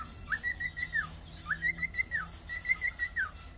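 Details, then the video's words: Cockatiel singing three drawn-out whistles, each sliding up, wavering on a level note and sliding down, spaced about a second apart over a soft background hum. "Cockatial singing."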